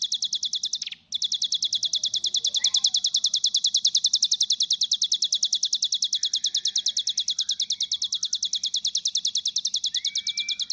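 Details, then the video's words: Bar-winged prinia singing a tutored cililin-style song: a fast, even, high-pitched ticking trill that runs almost without a break, about three notes a second, with a brief gap near the start and faint chirps beneath. "Ciblek isian cililin"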